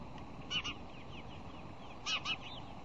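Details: Bald eagle at the Decorah Fish Hatchery nest, Iowa, on the morning of 1 February 2010 during nest bowl digging, giving two short bursts of high, squeaky double notes about 1.5 seconds apart, over steady hiss.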